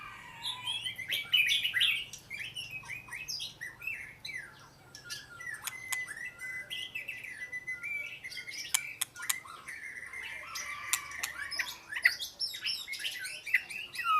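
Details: Oriental magpie-robin giving scattered whistled notes and short warbles, a loud burst early on and more phrases near the end, separated by sharp clicks, a long level tone and quieter gaps.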